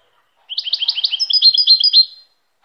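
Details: European goldfinch song, a fast tinkling series of high, sharp twitters, about fifteen notes in under two seconds, starting lower and ending in a higher, slightly trilled run; quiet background.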